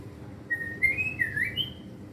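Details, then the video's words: Caged white-rumped shama (murai batu) in training, singing a few clear whistled notes, one long level, others gliding and rising, over a low steady room hum. "murai batu pastol belajar gacor bongkar materi!! isian ngeri"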